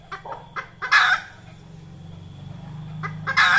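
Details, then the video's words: Red junglefowl hen, a call trappers use as a lure: quick clucks rising into a loud harsh squawk, repeated twice, over a steady low engine-like hum. "Tiếng gà mái rừng"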